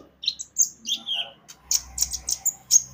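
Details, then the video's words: Javan white-eye singing briskly as a lure for other birds: short high whistles and sliding chirps, then a series of sharp bright notes in quick succession over a faint low hum. "Pancingan Kicau burung konin gacor"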